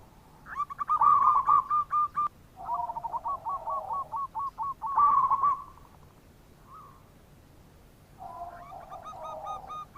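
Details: Local zebra dove in full voice, a lure call meant to prompt reluctant doves to answer: bursts of rapid, bubbly cooing notes around one pitch, trilled phrases repeated in runs with short pauses between.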